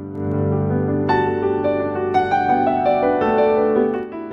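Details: Soft piano music with gently struck notes and sustained chords, and no animal calls heard.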